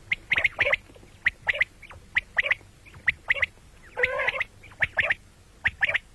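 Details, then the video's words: Common quail heard morning and night: fast runs of sharp high notes in doublets and triplets, broken once by a longer harsh, warbling buzz. "batair ki awaz quil sound beautiful morning and night بٹیروں کی سپیشل زبردست آواز صبح رات"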